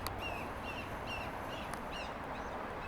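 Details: A Red-shouldered Hawk calls from atop a palm stub in San Clemente Canyon, San Diego, California, on 12 March 2025. It gives high, slurred, downward notes, about four or five in three seconds, over a steady hiss of wind or distant traffic.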